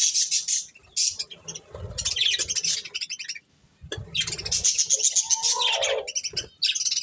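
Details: Several budgerigars eating corn produce fast, high, scratchy chirps and chatter in uneven bursts, including a lower squeaky downward note, with soft low thuds of movement.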